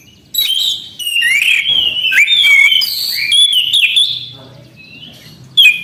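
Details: Continuous song of an orange-headed thrush: a run of rich whistles bending up and down, mixed with short twittery trills, fading near the end before a sudden loud note.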